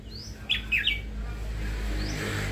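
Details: Red-whiskered bulbul newly kept in a cage for listening: a short phrase of two or three loud, clear whistled notes dipping and rising, preceded and followed by faint thin upslurs, over steady low room hum.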